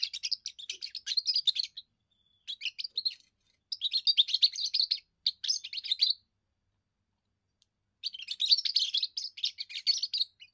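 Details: Young European goldfinch giving its first song, which the species uses to defend territory and attract females: rapid, high, tinkling twitters in bursts of one to two seconds with short silent gaps.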